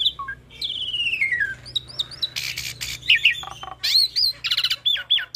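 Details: Energetic hybrid starling song rich in copied phrases, kept to teach Asian pied starlings and other cage songbirds; a long descending slurred whistle, scratchy chatter, then repeated looping high whistles.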